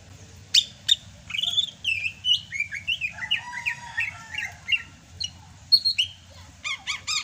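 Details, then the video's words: Sumatran greater green leafbird singing vigorously in the rainy season. A rich run of varied whistled notes, slurred up and down, some buzzy phrases, and rapid chattering bursts near the end. Faint low rumble beneath. "MUSIM HUJAN CUCAK HIJAU SUMATRA MASIH BISA GACOR"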